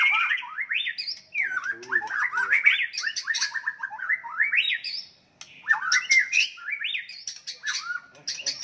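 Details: White-rumped shama fighting song meant to enrage rivals: rapid rich phrases of sliding whistles and chattering trills, rising and falling between mid and high pitch, with a brief pause near the end before the singing resumes.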